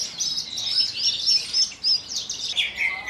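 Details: Javan bush lark, a caged bird from Kulon Progo, Indonesia, singing in the 'Jambul' style while shaking its wings after hovering and landing on a perch stone; rapid, dense high chirps and trills run continuously.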